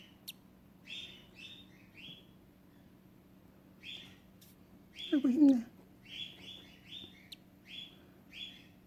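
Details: A lutino cockatiel chick hatching from an egg its parents abandoned, the shell broken open by hand, gives thin, high cheeps in quick little clusters, with a woman speaking softly.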